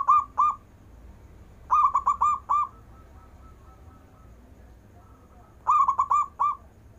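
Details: Zebra dove, local singing bird with long breath: spaced bursts of five quick bubbling coos separated by several seconds of near silence with faint low hum.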